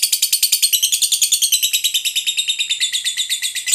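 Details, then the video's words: Lovebird in a long ngekek, the drawn-out call used to provoke other lovebirds into singing: rapid, steady, shrill rattling chatter at roughly three notes a second, unbroken throughout. "Lovebirdmu Sudah Pasti Nyaut,, Terpancing Emosi Ikut Ngekek Panjang"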